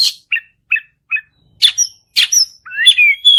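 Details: Song of a white-rumped shama meant to make another bird sing: four short chirps spaced evenly, then harsh buzzy bursts and a rich, rising warble at the end.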